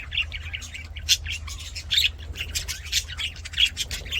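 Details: Budgies singing in an aviary during play, quick uneven chirps and squeaky notes about once a second amid constant scratchy chatter, over a low hum.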